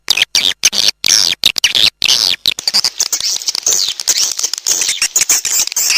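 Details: Swiftlets in a calling recording meant to attract them: dense, rasping high chatter and rapid clicking chirps, with the birds heard overlapping throughout.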